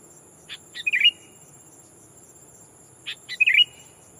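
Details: Captive decoy sooty-headed bulbul calling a rival to lure wild ones: two matching phrases, each of two dry clicks and then a short fluty, bubbling chirp, about two and a half seconds apart.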